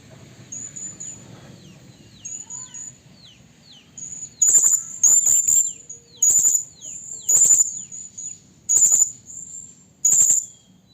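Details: Female Blue-crowned hanging parrot calling a male, a lure sound for trapping: quiet high chirps and faint falling notes, then a long series of piercing high bursts repeated about once a second.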